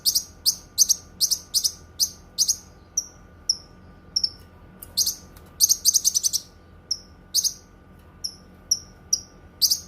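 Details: Cucak kinoi song, recorded for tutoring and therapy: buzzy chirps in quick series alternate with thin, soft whistles spaced about half a second apart, then another dense chirping burst.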